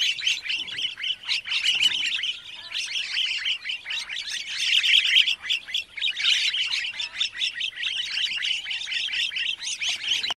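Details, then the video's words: In Kruger National Park, wattled starlings chatter in a dense, unbroken stream of high, squeaky and wheezy notes, several birds overlapping like a busy flock. "Wattled Starling call / sound"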